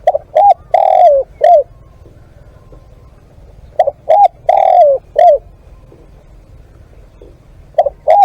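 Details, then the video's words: Spotted dove used for live decoy calling: three loud coo phrases about every 3.7 seconds, each two short hooting notes, a long drawn-out falling coo, then a clipped final note, over a faint low rumble. "เสียงนกเขาใหญ่ ต่อสด"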